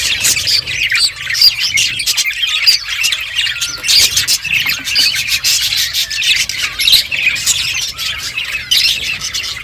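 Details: Several budgerigars eating seeds keep up a lively, overlapping twitter of raspy chirps and short squawks throughout.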